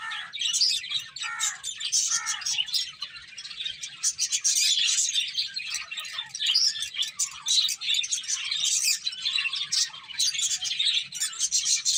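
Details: Finches feeding and chirping together, a busy flock chorus of rapid high twitters and short buzzy notes, swelling and easing in waves over twelve seconds with almost no pauses.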